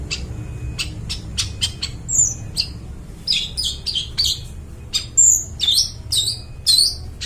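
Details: Long-tailed shrike in varied song, used to lure forest birds: rapid clicks and chips leading into high whistled slurs and buzzy notes, irregular in rhythm, faint low hum behind.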